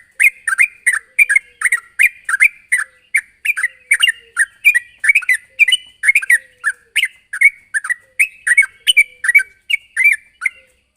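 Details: Lively Sooty-headed bulbul calling a rival: a long unbroken stream of short, bright chirping notes, roughly two per second, for eleven seconds.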